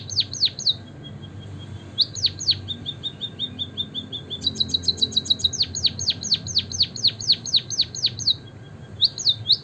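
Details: White-headed munia chirping, played as a lure to stimulate other birds to sing; rapid series of thin, high, sharply downslurred chirps, with short runs of quicker twittering notes between, about two per second.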